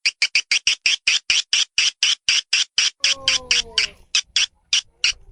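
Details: Calling sound for attracting swiftlets: crisp, high, clicking chirps repeated rapidly and evenly, about four per second. A brief set of lower descending tones overlaps them midway.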